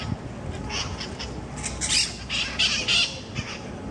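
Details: Monk parakeets quarrelling over food at Parc de la Ciutadella in Barcelona, Spain, mitred parakeets calling from trees above; a rapid run of harsh, strident squawks building to several loud rasping bursts in the second half, then fading, over low background rumble.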